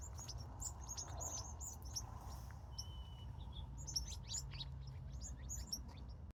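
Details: Birds at sunset on a California evening give bursts of bright, high chirps that pause around the middle, with a short steady whistled note near three seconds, then resume. A low hum runs throughout.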